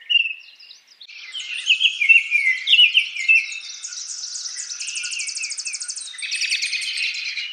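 Baltimore oriole singing a run of clear whistled notes mixed with quick buzzy chatters and rattles, all high-pitched and continuous, with no other sounds.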